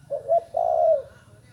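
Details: Spotted dove, a young bird only recently beginning to call, gives one phrase of two brief hollow coos and then a long sustained coo that trails downward. A faint low background hum runs underneath.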